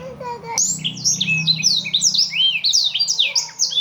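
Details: Blackthroat song for training other birds: after a soft lower note and a click, a fast unbroken cascade of high, sweeping, twittered notes with sliding pitch.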